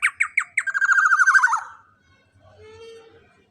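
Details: Loud young black-naped oriole used as master recording for training birds: a few harsh descending notes and a quick raspy chatter, then a faint low hum and a thin drawn-out tone.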